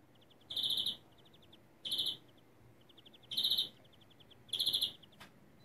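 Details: A European greenfinch sings a stuttering-style song of four dense, rolling trills about every second and a half, with soft rapid ticking notes between them.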